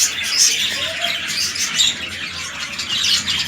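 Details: Red-eye lutino budgies kept for breeding, a large male paired with a small female; busy twittering chatter with a few bright whistled chirps over a steady wash of high calls.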